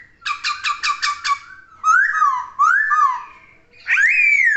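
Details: Laughingthrush (poksay) song starting with rapid buzzy pulses, followed by rising-then-falling whistled slurs and a final loud, upswept whistle.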